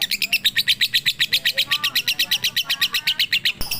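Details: Training recording of a lovebird in full pigter song, meant for night use: fast, evenly spaced sharp chirps at roughly four per second, holding steady, ending with a brief click.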